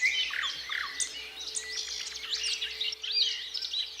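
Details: Thrush nightingale, 8 May 2022, keeps singing while a siren wails: dense, jumbled high whistles and sharp chips over a steady low drone and faint rhythmic low pulsing.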